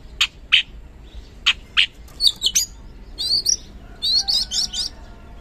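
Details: Oriental magpie-robin (kacer), recording used as a singing lure for reluctant birds; spaced pairs of short harsh notes, then a few rising whistles and a quick run of high repeated twitters, fairly distant.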